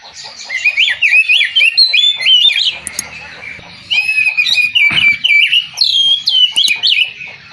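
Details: Cage-kept white-rumped shama pouring out a long, rapid, varied song of whistled slurs, chips and sweeping notes in near-continuous bursts, with a brief pause midway.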